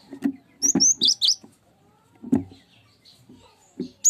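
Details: Cinereous tit singing as a lure for other birds: high, sharp chirped notes in short bunches, with dull low knocks between phrases.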